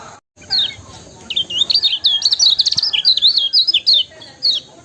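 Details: Yellow-bellied prinia singing, a recording meant to provoke other birds to sing. A fast, high twittering run of sharp, wiry chirps and trills begins after a brief silence. A short single note follows near the end.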